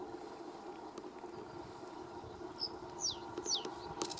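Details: A sedge warbler calling at RSPB Lakenheath in 2017 gives three quick, high, downslurred notes about half a second apart, over a steady low rumble of distant background noise.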